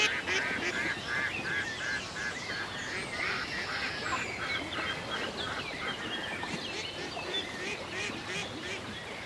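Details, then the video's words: Ducks on a lake on a peaceful day in the country, giving harsh, nasal quacks in quick, uneven runs throughout, with high thin chirps of small songbirds above them. "A Peaceful Day in the Country with Ducks Ambience"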